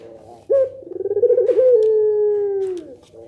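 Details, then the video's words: A single pelung nangguk coo of a Barbary dove, said to make other doves call back, rising abruptly into a quivering beaten section before settling into a long, smooth, slightly falling note. "suara puter pelung nangguk bikin puter lain saling respon"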